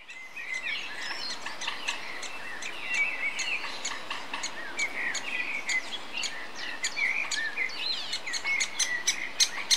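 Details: A female great spotted woodpecker (Dendrocopos major) feeds its young at Westfalenpark Dortmund, Germany, on 3 June 2013. The young beg with a dense, nonstop chatter of high, squeaky chirps and sharp ticks, rising in excitement as food arrives.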